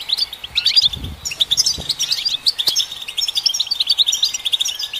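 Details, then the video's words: European goldfinch song meant to stimulate caged birds, a rapid liquid twitter of bright chirps and trills running without pause, with a few soft low knocks near the start. "Golden Songbird vocal performance to stimulate the goldfinch"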